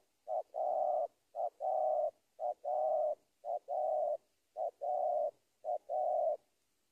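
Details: Spotted dove calling a rival: soft mellow coos at mid pitch, a short note then a long burred one, phrase repeated about once a second, six times in steady rhythm.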